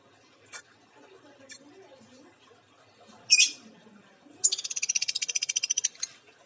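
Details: Injured-beaked female lovebird: faint ticks, then a sharp high squawk, followed by a rapid, evenly pulsed shrill trill lasting over a second.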